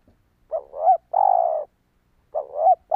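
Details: Spotted dove cooing, used to lure wild doves: a hoarse two-part coo, then a long, steady, slightly falling note, followed by the start of another phrase. The background is quiet.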